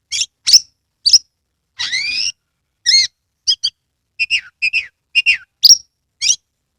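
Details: Lively song of an Oriental magpie-robin from Kebumen, Central Java, displaying with its tail open, meant to make other magpie-robins sing: sharp high notes, a rasping slurred phrase, then quick paired chirps and whistles.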